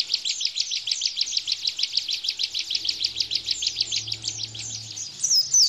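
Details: Rapid-fire 'tembakan' song of a bar-winged prinia, used as master song for captive white-eyes. A long, even stream of high, slightly downslurred chirps runs about three per second and closes with a sharp rising whistle.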